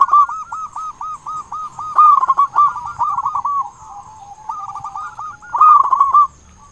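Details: Lure song of a local zebra dove, meant to rouse quiet or stressed doves: a steady chain of even coo notes building into loud, rapid bursts, a short lull, then another strong burst.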